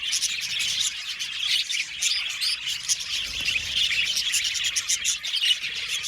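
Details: Budgerigars in an aviary colony chirp and warble nonstop, giving a thick, high-pitched chatter of many birds, with crisp short notes standing out now and then.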